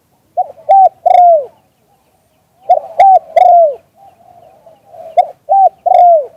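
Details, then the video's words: A spotted dove calling in the auspicious "liu tan" manner, recorded live, repeats a low three-note phrase three times, a short coo, a level coo, then a drawn-out descending one, with gentle murmuring between phrases. "เสียงนกเขามงคล หลิ่วตัน"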